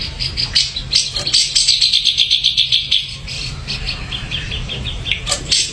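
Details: Ashy drongo delivering a fast, chattering high trill of rapidly repeated notes, slightly uneven, with a few scattered sharp notes after it against steady low background noise.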